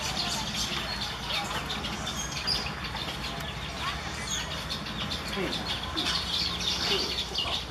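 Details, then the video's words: Asian golden weavers at Shwe Laung, Irrawaddy Delta Region, Myanmar, giving a dense, constant chatter of high, scratchy chirps and buzzy notes, with a low background hum and faint voices. "Asian Golden Weaver,စာဘုန်းကြီး"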